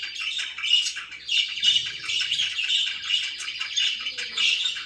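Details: Relaxed pet budgerigar chatter, a constant warble of quick high chirps and raspy notes in bursts, with a few soft low thumps partway through.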